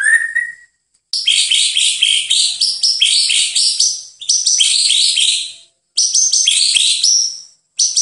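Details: Training master of White-rumped shama song: a single whistled note, then loud bursts of rapid, high-pitched trilled phrases, each about one to two seconds long with short gaps between them.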